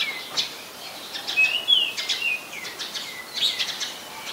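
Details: Oriental magpie-robin recorded in Ubon Ratchathani, Thailand, on 24 December 2020: rather faint whistled phrases and quick chirpy notes, some slurring downward, against a soft background hiss.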